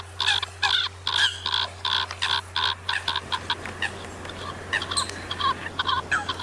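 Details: Harsh, clipped Eurasian coot calls are repeated in quick even bursts at first, then soften into a scattered chatter of overlapping birds over a steady hum.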